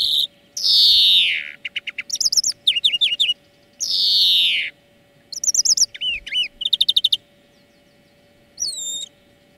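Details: European greenfinch song meant to teach other birds: two long descending wheezes separated by bouncy trilled phrases and looping whistled notes, ending in a lone upslurred call, with a faint background hum.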